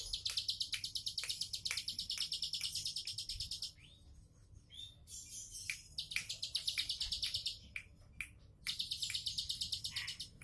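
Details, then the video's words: Relaxed 'tembakan' song of a bar-winged prinia: dense trains of quick, high, rattling chirps in three bursts, separated by a quiet gap near the middle, with scattered sharp clicks. "Tembakan santai ciblek sawah"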